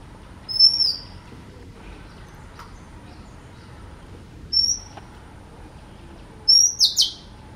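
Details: Oriental magpie-robin singing: three widely spaced phrases, each a clear high whistle sliding slightly, the last ending in quick rising notes, over a quiet hiss.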